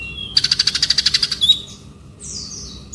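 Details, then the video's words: Male konin bird singing in the ngobra style: a fast run of about a dozen sharp, even, high notes in one second, then a brief slurred note and thin descending whistles, over a quiet background. "Burung Konin Ngobraa"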